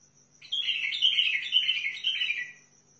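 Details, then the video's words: Sustained two-second warbled song of a Sihani bulbul from Al-Faw, Basra: a fast chain of liquid, wavering notes that rises, dips and fades, with a constant faint high whine. "طيارات بلبل سيحاني بلابل الفاو بلبل البصره"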